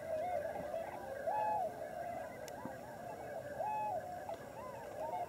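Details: Wintering flock of Tundra Swans at Lower Klamath National Wildlife Refuge on the Oregon/California border: many overlapping soft, mellow hooting calls in a continuous chorus, some clearer rising-and-falling notes standing out over the murmur.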